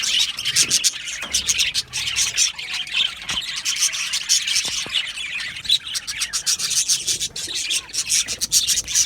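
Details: Aviary full of Australian budgies chattering: rapid high chirps, squeals and raspy notes pile up in a dense, steady wash with brief dips in volume.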